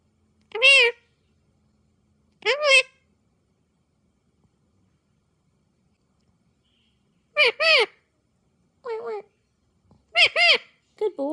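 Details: A pet Indian ringneck (rose-ringed) parakeet talking, using phrases such as "peekaboo" and "what are you doing?": six short, high, nasal word-like phrases in scattered bursts with quiet pauses, in an indoor room.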